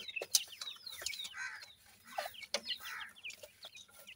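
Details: Grey francolin chicks at feeding time: a busy jumble of high, slurred peeping notes punctuated by loud sharp clicks and taps.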